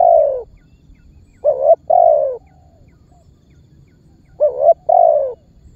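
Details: Spotted dove call used as a lure to make other birds join in and draw target birds near: three mellow cooing phrases, each a quick double note and a longer falling coo, separated by pauses of two to three seconds.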